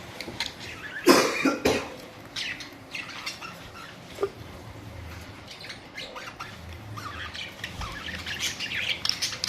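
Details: Budgerigars, colourful parrots recorded April 19, 2023, with a loud broad squawk early on, then scattered softer chirps and chatter growing slightly busier toward the end.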